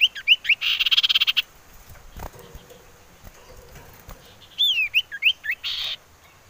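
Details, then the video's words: Common iora, a wild female calling, used to lure birds into singing: quick looping whistled notes around a rapid buzzy trill, a pause, then more wavering whistles and a brief buzz. "Siulan Merdu Cipoh Sirtu"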